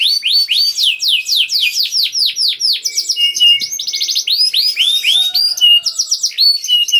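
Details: Canary used as a lure to get non-singing canaries going: a steady series of downward whistled sweeps about four per second, then mixed trills, chips and sustained tones.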